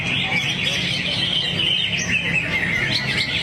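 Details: Short burst from a kept greater green leafbird (cucak hijau) unloading song material in a swaying mood: high, warbling whistles and chatter flowing without a break above a faint low drone.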